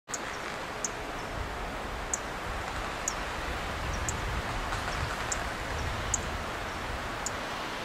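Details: A Dark-eyed Junco on a Monterey Pine branch gives about eight thin, very high 'tsip' calls at irregular intervals over a steady rushing hiss of wind or running water.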